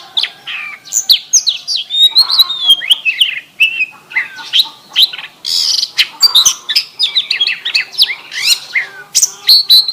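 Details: An oriental magpie-robin pours out song mixed with canary phrases: scattered sharp chips, slurred whistles and a harsh burst, building to fast twittering with bright high notes at the end.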